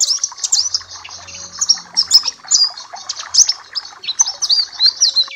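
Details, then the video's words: Papua black-capped white-eye song used as a tutoring and therapy recording to train other birds: dense, rapid, high-pitched twittering of thin chirps and short whistled slurs, continuous throughout with no pauses, with faint low background hum. "Masteran dan terapi pleci Papua black cappe"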